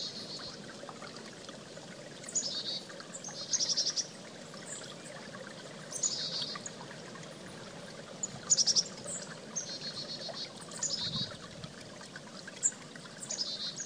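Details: Chickadee near a creek repeating scattered short, high buzzy note groups every couple of seconds, set against a steady background of rushing stream water.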